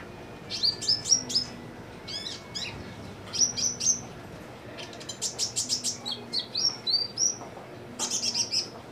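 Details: A captive sunbird kept on simple care sings actively in quick bursts of very high, thin, twittering notes with rapid sweeping trills, phrases coming every second or so over a faint low hum.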